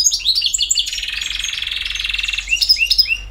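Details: Campero song from a BiH European goldfinch: quick chirps give way to a long even buzzy trill, then a few rising and falling whistled notes.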